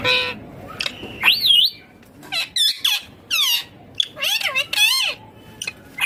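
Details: Pet green ringneck parrot talking: rapid, shrill, speech-like syllables with twisting harmonic tones, several loud bursts close together, between short silences.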